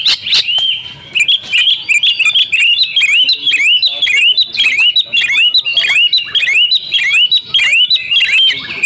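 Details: Female Oriental magpie-robin calling to lure silent males into song: a loud, continuous stream of rapid upswept whistled notes, almost two per second, each with a buzzy, bright edge.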